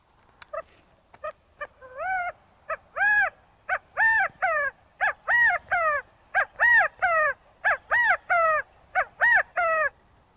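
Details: California quail at Crystal Cove State Park, California, gives loud, arched, nasal "chi-ca-go" notes in quick groups, repeated steadily for ten seconds against a quiet background.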